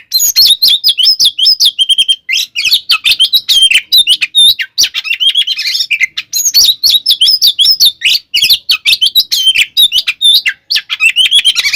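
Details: Oriental magpie-robin (kacer) in full fighting song, used to provoke rival magpie-robins into aggression; a continuous rapid torrent of high whistled warbles, sharp chips and trills, varied and loud with barely a pause.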